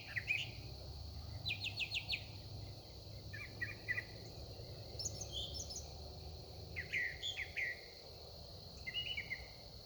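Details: A single very vocal songbird calling at sunset into dusk, seldom repeating itself: short bursts of high whistled and chirped phrases, each differently shaped, separated by brief pauses over a faint low background hum.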